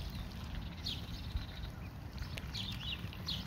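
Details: High, slurred peeps from foraging ducklings come in small bursts, a few near the start and a cluster toward the end, above constant low outdoor noise.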